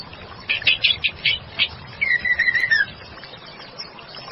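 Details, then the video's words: Female white-rumped shama giving a quick run of short buzzy notes followed by a long wavering whistle that slowly falls, with faint background noise. "Pancingan Murai batu betina gacor | Bird Sound | Stone Magpie"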